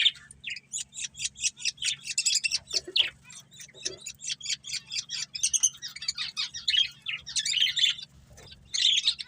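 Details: Breeding pair of budgerigars in continuous lively chatter, rapid scratchy pulsed chirps running almost without pause, with a few lower squawky notes mixed in.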